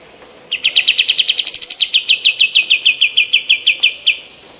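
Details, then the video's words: Female olive-winged bulbul, recorded as tutoring material for other birds: an extended rapid chattering trill of bright, clipped notes, about five per second, briefly rising higher near the start before settling lower and evenly repeated. "KAPAS TEMBAK BETINA GACOR MASTERAN"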